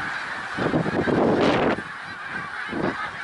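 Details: A snow goose flock at Middle Creek Wildlife Refuge, Pennsylvania, 1 March 2021: steady honking chorus, briefly overwhelmed by a loud rushing burst of noise lasting about a second, then the yelping continues.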